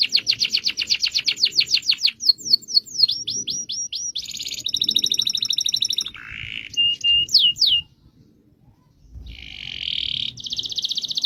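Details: Caged canary singing a long rolling song for training other birds: fast repeated trills of downward-sweeping notes, a buzzy phrase, short whistled notes, then more rapid rolling trills, with a brief pause near the end.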